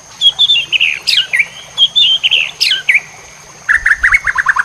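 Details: Songbird-training masteran of White-rumped shama song, full-fill style: warbled mid-high whistles with two sharp upswept notes, then a quick run of about eight rapid falling notes. A faint continuous high tone underlies it.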